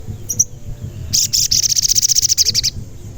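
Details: ['Sogon (Indonesian local name) in full song, played as a lure to make other sogon sing and get agitated. A rapid run of about twenty high, sharp chirps repeated evenly for over a second follows a few brief opening notes, with low background rumble.']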